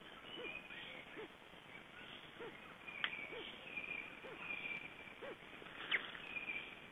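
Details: Black stork chicks shortly before hatching: soft, arched low notes repeated roughly once a second in a steady series, with faint higher chirps and a quiet background hiss.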